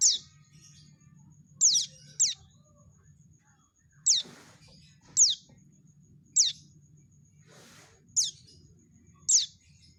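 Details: Calls of a young prinia, played as a lure for catching birds: sparse sharp high notes, each a thin falling whistle into a brief rasp, spaced one to two seconds apart, with a soft low hum throughout.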